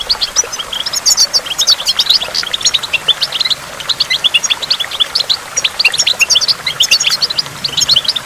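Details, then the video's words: Lively twittering from a goldfinch at a waterfall, a busy jumble of bright, high chips and short trills with a brief lull midway, water rushing faintly behind. "in the waterfall stimulates goldfinch and water drops"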